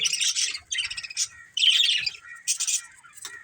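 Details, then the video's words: Pair of breeding budgies chirping in four or five chattering bursts, each a rasping jumble of high twitters, one ending in a thin whistle, separated by short quiet spells. "Cute Budgies Chirping Sounds"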